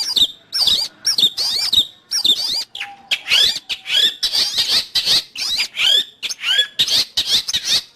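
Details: Long-tailed shrike singing, a recording used to teach pet birds or lure wild ones: fast series of looping whistled notes and squeaky chatter, nearly continuous, with a brief thin steady tone midway.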